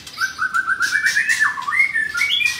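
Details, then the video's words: Captive F4 blorok White-rumped shama with coarse song material, Jakarta, Indonesia: a quick series of repeated whistled notes climbing in pitch, then a dip and several higher slurred whistles, with faint harsh bursts behind. "Murai Batu F4 Blorok Materi Kasar"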